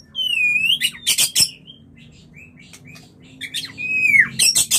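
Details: Murai, a white-rumped shama used as a mating lure: clear drawn-out whistles, one rising and one falling, broken by sharp loud clicks and short chirps, over a constant low mechanical hum.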